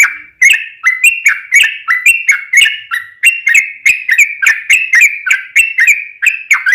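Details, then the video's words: Continuous lively song of a sooty-headed bulbul meant to make other bulbuls answer: steady run of clear, two-part slurred whistles, roughly three per second, throughout. "trucukan ropel panjang buat PANCINGAN TRUCUKAN agar bunyi"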